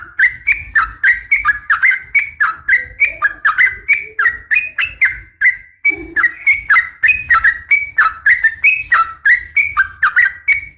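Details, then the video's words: Female sooty-headed bulbul in uplik tarung fighting-call style, calling males to answer. A long, fast sequence of repeated looping whistled phrases runs with one brief pause in the middle. "trucukan gacor SUARA UPLIK TARUNG"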